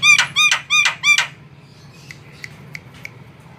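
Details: Javan myna in lively, nonstop singing, its song used as a lure for other birds: four loud, harsh, ringing notes with rich overtones, each about a third of a second apart, then faint sharp clicks.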